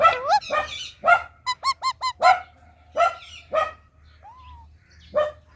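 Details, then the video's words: Indian ringneck parakeet making varied calls: low throaty notes, a run of four quick clipped chirps, a soft falling whistle and scattered harsh notes, with a faint hum underneath. "Talking Indian Ringneck Parrot Natural Sounds"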